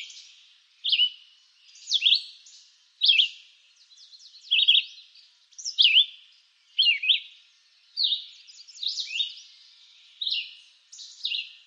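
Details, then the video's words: Crisp close recording of a red-eyed vireo from eastern North America: clean, separated whistled phrases about once a second, each a quick slurred note sweeping up or down, against a quiet background. "Red-eyed Vireo Bird Song"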